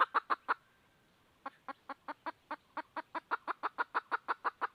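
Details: Red junglefowl hen seeking a rooster, giving quieter, even series of short clucks at roughly three per second, with a brief early burst, a pause of about a second, then a long steady run.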